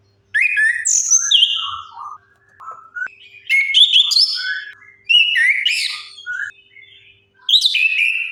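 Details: Orange-headed thrush song used to lure quiet birds into singing: a lively run of varied whistles, slurred up and down, in several closely spaced phrases filling most of the recording.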